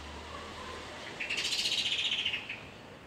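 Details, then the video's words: Morning birdsong: a single loud, fast trill of rapidly repeated sharp, high notes, steady in pitch and lasting just over a second, preceded by faint soft notes, with a constant low hiss underneath. "Canto uccelli al mattino"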